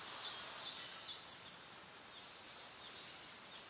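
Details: Several long-tailed tits, apparently a mother feeding possible young born this year in leafy shade near a mountaintop car park, give thin, very high tsee notes and short buzzy trills in busy overlapping chatter over soft hiss.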